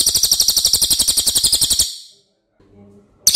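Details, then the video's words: Racket-tailed Treepie (cililin), a loud, long-voiced songbird kept for training other birds, gives a fast, high, grating trill for nearly two seconds, then silence with a faint low murmur before a loud burst resumes. "MASTERAN CILILIN OKE BANGET"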